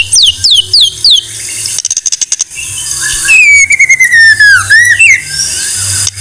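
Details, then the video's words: White-rumped shama song for training birds: a few falling high whistles, a short rapid ticking burst, then a long clear whistle sliding down and rising again at the end. "Masteran MURAI BATU No.1"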